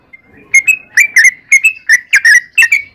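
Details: Yellow-vented bulbul song: a faint whistled lead-in, then clear, bubbling double-noted whistles repeated roughly every half second.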